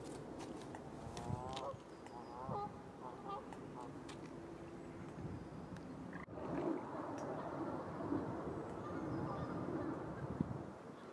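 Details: Canada geese in Brussels, Belgium, in May 2017 give loud nasal honks in quick runs during the first few seconds, then a busier stretch of overlapping calls over steady background noise.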